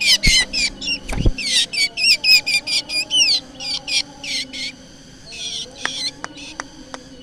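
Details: Black drongo original call for use as a lure: a lively burst of varied, sharp, upswept notes, then a pause and scattered clicks with fainter calls near the end.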